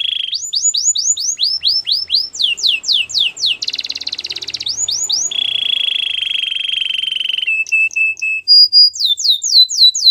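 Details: Varied song of a Belgian canary for training, with runs of falling whistles, a harsh buzzy section, a long low rolling trill and short pure tones.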